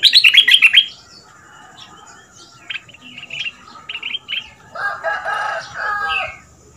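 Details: Red-whiskered bulbul, a new caged decoy bird of the southern Thai 'double' style, kept two months, singing for young birds to copy: a loud burst of rich warbled notes, then quieter whistled phrases and lower, throaty notes near the end.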